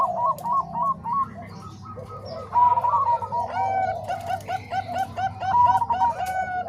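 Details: Overlapping zebra dove voices, Bangkok and Cemani Kolbuntet, mixed to train other doves. Evenly spaced gentle coos open quietly, then several birds join in a denser, louder bubbling cooing sequence. A steady low hum runs underneath.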